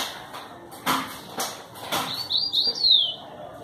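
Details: Yellow-bellied seedeater with a distinctive song style, in Pau Brasil, Bahia, Brazil, 25 May 2018: several dull knocks and rustles, then a brief burst of high, slurred whistled notes that sweep up and fall away at the end.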